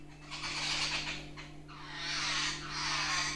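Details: Jungle babblers visiting a kitchen window of a village house in Sindhudurg district, Maharashtra, India: loud, harsh rasping chatter in three long broadband bursts, over a steady low electrical hum.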